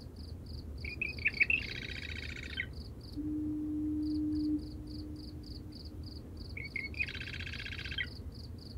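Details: Marsh wren (Cistothorus palustris) singing at night from cattails at the edge of a salt marsh: two reedy, gurgling bursts ending in a dense grating chatter, with a steady cricket trill and a distant foghorn.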